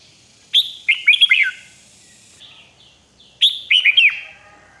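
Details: Riik-style song of a red-whiskered bulbul, Thailand, played so other birds become excited: two matching bursts of rapid, sweet, falling whistles, about three seconds apart, with soft high chirps in between.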